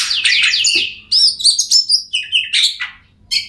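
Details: Oriental magpie-robin song intended to prompt a silent bird: a burst of loud buzzy chatter, then a series of sharp whistled notes about three per second, ending with a brief high chirp.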